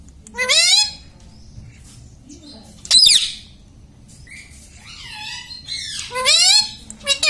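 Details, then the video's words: Talking pet parrot indoors imitating words such as "mummy": loud, raspy, voice-like bursts with harmonic sweeps, delivered in four main phrases spread over several seconds, with quieter chatter between them. "Tota Tota mitthu mitthu - Bolne wala tota - tota talk - mummy bolne wala mitthu - talking parrot"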